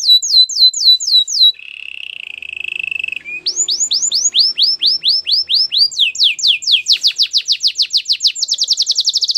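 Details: Canary song with fast falling whistled notes, a buzzy lower roll, then long series of rising-falling sweeps that speed up into a rapid high trill.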